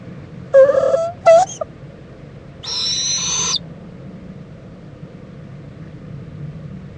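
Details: Mother owl checking on and preening her owlet at a nest in Indiantown, Florida, late morning on 26 February 2014: two short tonal, wavering calls, then a nearly one-second harsh, hissing screech over a low steady hum.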